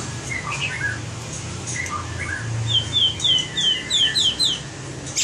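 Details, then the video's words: White-rumped shama trained for singing contests: soft varied whistles, then a rapid series of about eight clear, high, downslurred notes in quick succession over low hum. "Luyện giọng chòe lửa - luyện chòe lửa hót đấu (murai batu)"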